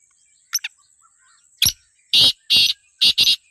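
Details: Black francolin calling: two faint short notes, then a rough clicking note and four loud, harsh, grating bursts delivered in quick succession toward the end.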